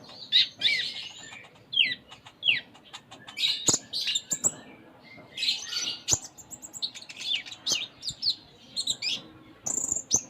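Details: Sunda minivet (konin) delivering varied 'full isian' song: rapid high chirps, downslurred whistles and scratchy chattering phrases, tumbling on continuously with short gaps and occasional clicks.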